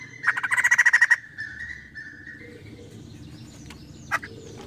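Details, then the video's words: A scream from a female white-crested laughingthrush: one short, rapid burst of harsh pulsed notes. It trails into a faint drawn-out tone, then quiet background with a single sharp click. "Jeritan Poksay Jambul betina Gacor Bikin emosi"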